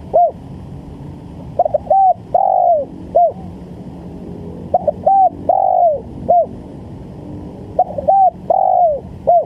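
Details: Spotted dove lure call used for trapping: phrases of a quick stuttered note, a level coo, a long drawn coo falling at the end and a short closing coo, repeated about every three seconds over a steady low hum.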